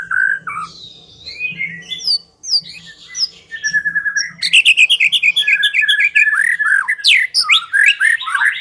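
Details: A white-rumped shama's song for luring a silent bird into singing: scattered whistled slurs at first, then a loud fast outpouring of chattering trills and sweeping whistles.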